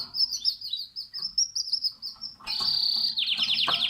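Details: Canary singing beside its nest, a lively string of high, slurred whistled notes repeated quickly, then a loud sustained buzzy trill and a rapid rolling series of notes that closes the phrase.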